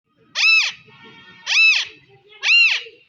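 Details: Alexandrine parakeet giving three loud, harsh, arching screeches, each rising then falling in pitch, about one per second, with faint softer chatter between them.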